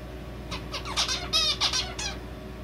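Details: A male zebra finch sings a quick two-second phrase of short, nasal, buzzy notes that builds to a rasping stacked note, seemingly borrowing red avadavat calls, over a faint indoor hum.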